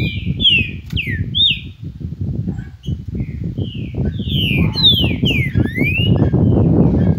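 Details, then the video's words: Green-winged saltator delivering its "Cadê meu boi" song: rich slurred whistles, some falling and some rising, in two bursts, set against fairly loud low background noise. "Canto Cadê meu boi"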